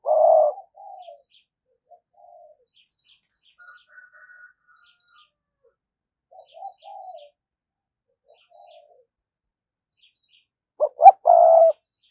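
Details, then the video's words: Spotted dove kept as a decoy, cooing in thúc gù fashion to attract wild birds: a loud low coo opens, faint scattered notes follow over long quiet gaps, and a burst of three coos ends the passage. "cu gáy mồi cây thúc gù bài bản"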